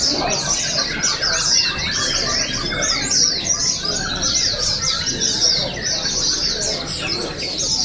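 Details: Competing oriental white-eyes at an open singing and style contest in Balingian, Sarawak, 2023, deliver rapid high twitters packed closely together, a steady bright chorus over faint crowd murmur.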